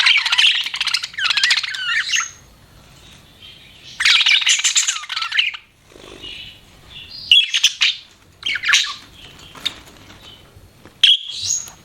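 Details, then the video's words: Pet budgerigars chirping: bursts of busy warbled chatter with squawky notes around two seconds long, separated by short quiet gaps, then scattered sharp chirps and a rising whistle. "BUDGIES CHIRPING SOUND"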